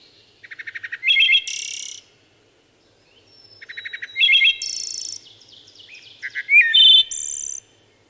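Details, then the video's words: Wood thrush song in three phrases. Each opens with quick stuttering low notes, rises to ringing flute-like tones, and closes with a high shimmering trill. Little background noise. "Wood Thrush Bird Singing"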